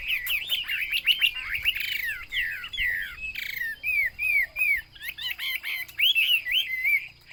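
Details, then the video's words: Chinese hwamei (wambi) song: a rich, fast run of loud whistled phrases, slurred up-and-down notes repeated in varied bursts, some buzzy, with short pauses between phrases and little background noise. "burung hwamei/wambi Joss suaranya"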